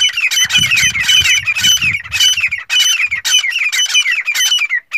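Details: Teetar, a black francolin male, calling to a female: dense, continuous grating calls with falling sweeps, several notes per second with almost no breaks, over low background rumble early on.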